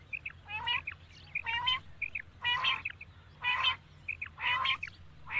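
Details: Common quail heard at night: small high chip notes alternating with loud, rasping, harmonic bursts, the pattern recurring roughly once a second in a regular rhythm.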